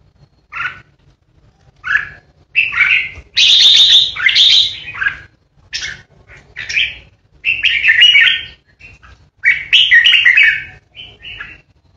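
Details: Red-whiskered bulbul, a caged decoy bird, in 'ché' singing style used to intimidate rivals: short chirpy whistled phrases separated by brief silences, growing into longer, louder warbled runs midway.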